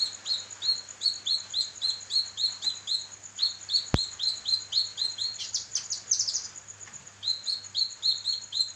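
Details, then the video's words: Kinoi singing, recorded as training material for other songbirds: brisk chains of short rising chirps, about four per second, then a louder chattering flourish before the chirp series resumes, with a constant thin whine behind. "burung masteran kinoi gacor"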